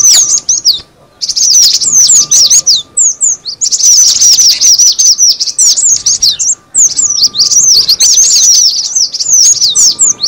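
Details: Lure recording of cinereous tit: rapid, crowded bursts of thin, high, downward-sweeping chirps in packed runs, broken by short gaps near one and six and a half seconds, with a steady faint hum behind.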